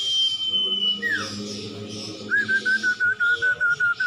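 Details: Common iora (cumpon/sirtu) masteran recording: a long steady high whistle, then a falling slur, and after a pause a regular series of about ten short, even, upslurred whistled notes.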